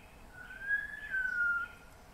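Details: MacGregor's bowerbird singing in rainforest in Papua New Guinea: a single drawn-out clear whistle, rising slightly and then easing down over about a second, against a quiet hissing forest background.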